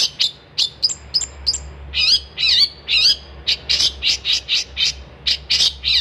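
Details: Vigorous gacor singing by a long-tailed shrike: clipped high chips give way to buzzy, warbling notes near the middle, then a quick series of loud harsh strokes.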